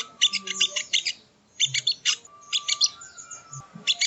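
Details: Sogon bird, sogo ontong, sung as training audio: quick, bright trills of high chirps in short bursts separated by half-second gaps, with a faint steady whistle under some phrases.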